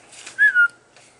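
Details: A pet brown-headed parrot playing on a desk indoors gives a single clear two-part whistle, the first note slightly higher and then dropping into a steady tone, with faint room noise around it.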